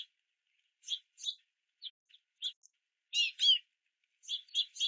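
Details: Rain-soaked young house finches begging at a feeder give scattered short chirps, then a louder, more intense pair of rasping notes and a closing cluster of quick calls.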